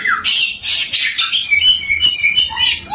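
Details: Samyong singing to provoke other samyong birds into song; a descending whistle leads into rough buzzy bursts, then a fast, high chattering series and a final low whistled slur.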